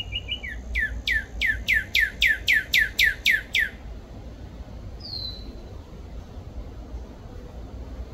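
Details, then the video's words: A cardinal gives a quick run of about ten clear, down-slurred whistles, then one high whistled note, over a low, steady background rumble. "CARDINAL BIRD CALLS"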